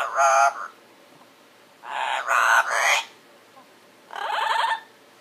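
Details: Pet parrot talking in its sleep: a short word-like burst, then a run of three quick harmonic syllables and a final wavering, gargled phrase, separated by silence.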